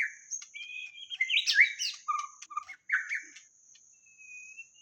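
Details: White-rumped shama singing as a lure: varied, melodious whistles and quick slurred notes with brief clicks between phrases, fading to a thin high whistle. A steady faint hiss sits in the background.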